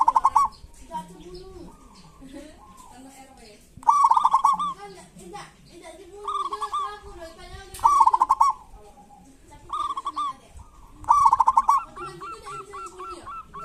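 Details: Local Indonesian zebra dove singing actively in kerot and bekur styles, kept to coax quiet doves into song: bursts of rapid, rolling, trilled coos about every two seconds, with softer lower cooing and faint chirps between.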